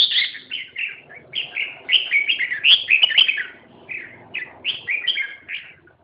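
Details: Red-whiskered bulbul singing a continuous stream of rapid, bright warbled whistles, about four notes per second, over a faint low background hum.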